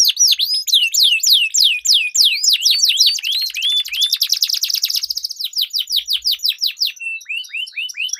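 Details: Duel of singing canaries serving as a lure for competition training: quick falling whistles, then a long buzzy rolling trill lasting about two seconds, followed by brisk repeated notes and short chirps.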